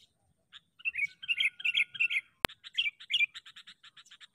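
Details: Sooty-headed bulbul kept as a trapping decoy, giving a few clipped chirps then slurred warbling phrases, a sudden sharp click, and a quick, evenly spaced string of short high notes fading toward the end.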